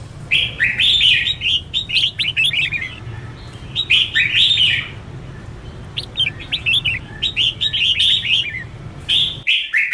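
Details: Trained red-whiskered bulbul giving intense competitive song: bursts of rapid, slurred whistled and chirping notes in phrases about one to two seconds long, repeated with short pauses, a low background hum throughout.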